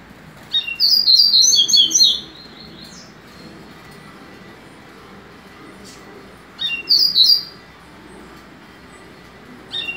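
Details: A captive male Double-collared Seedeater of a bred singing line sings fast, high twittering phrases of rapid chirps and trills, with two bursts about five seconds apart and quiet room noise between.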